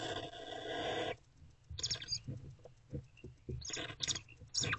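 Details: Barn owlets snuggling together in Owl Box C at night, 2 March 2024, between 1:28 and 3:20 am; a long harsh breathy hiss lasting about a second, then several shorter raspy hissing bursts, with soft rustling and thumps in between.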